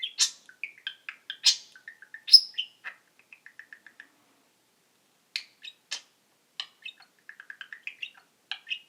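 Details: Talking male pet budgerigar mimicking words and sounds: bright high chirps and clicks, then a run of small evenly spaced ticking notes, a pause of about a second, and renewed twittering chatter toward the end.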